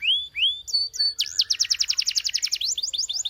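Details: Canary gives two rising whistled notes, two short high chips, then a quick series of bright, sharp, repeated downswept notes.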